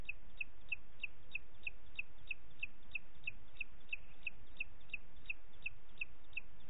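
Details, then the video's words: Booted eagle recorded at Parc Natural dels Ports on 29 June 2021, 20:30, giving an unbroken string of sharp, high piping notes, evenly spaced about three per second throughout, with constant low hiss behind. "Àguila Calçada"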